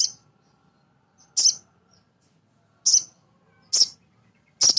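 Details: Male sogon, a nectar-feeding sunbird, recorded as a training lure for other birds: short, shrill, high chirps repeated roughly every second, fairly evenly spaced, with a quiet background.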